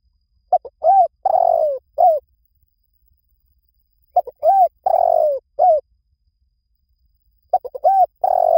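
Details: Spotted dove giving its cooing phrase three times, about every three and a half seconds: two brief clipped notes, a rolling drawn-out coo and a closing downslurred coo, in quiet surroundings.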